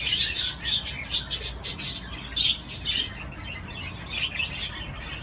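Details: Budgerigar playing on a swing: quick high chirps and short warbled notes in uneven bursts, with brief broadband rustles between them, possibly from wings or the swing.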